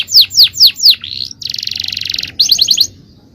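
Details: Canary male singing champion phrases at full power: four loud descending slurred notes, a rasping rattle of rapid pulses, then a quick run of short bright notes.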